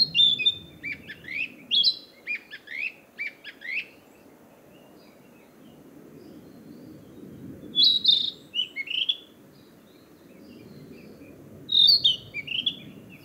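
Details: Narcissus flycatcher defending its territory during the breeding season: a rapid string of bright, varied whistled notes, then two shorter phrases of similar sweet slurred whistles several seconds apart over a soft low rumble.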